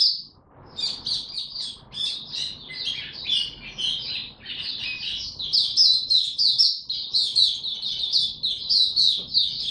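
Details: Kept Oriental white-eye singing buka tiong aw style while building form, recorded 3 January 2022: a long, dense, unbroken stream of high chattering and warbling notes, several each second, over steady low background noise.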